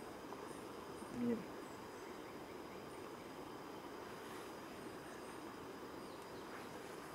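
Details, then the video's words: A long-wattled umbrellabird gives one short, deep, humming boom early on, then falls silent over a steady background hiss. "Long-Wattled Umbrellabird"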